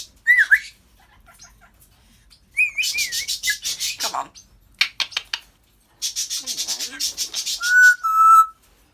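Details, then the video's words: African grey parrot alternates warbling swooping whistles with long runs of rapid, rasping pulsed chatter, ending in two level sustained whistles. "African grey talking, laughing and burping"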